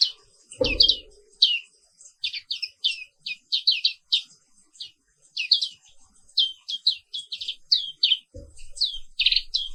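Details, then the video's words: Black-capped white-eye, a bird found only in Indonesia, singing in the morning: quick high chirpy notes, each sweeping downward, delivered in tight clusters of two to four, with a brief low thud near the start. "Suara Terapi Pagi Pleci Papua Wiklus"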